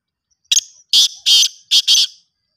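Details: Black francolin (kala teetar) call: five loud, rasping, scratchy notes over about two seconds, grouped as one note, then two, then two quick ones, against an otherwise silent background.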